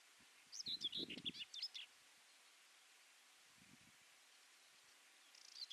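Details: Common whitethroat sings a brief, fast, scratchy warble of high jumbled notes, then stays quiet before a second phrase begins at the very end. Low rustling sounds come in two bursts.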